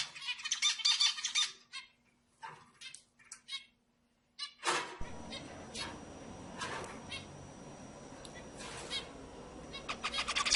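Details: Zebra finch singing to stimulate other birds. A short buzzy, nasal phrase opens the clip, then scattered notes, and after about five seconds a broad noisy background sets in with only faint song bursts.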